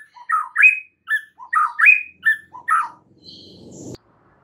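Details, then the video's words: White-rumped shama (murai batu) in full song, used as a training recording to make other shamas answer: varied whistled phrases, rising and falling slurs repeated about every half second, ending in a faint rustle and a soft click. "MASTERAN MUTAI BATU GACOR , 3 DETIK SAJA DIJAMIN NYAUT SEKETIKA"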